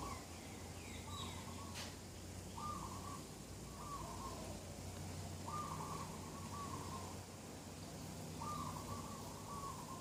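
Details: Birdsong on a clear-sky morning, 27 September 2021: a mid-pitched flat whistled note repeated every one to two seconds against steady background hiss, with faint higher chirps early on.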